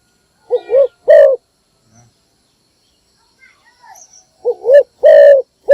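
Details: Spotted dove kept as a decoy for luring wild doves, giving its morning call: two coo phrases, each a short wavering double note followed by a longer, louder rolling coo, separated by about three seconds of near silence.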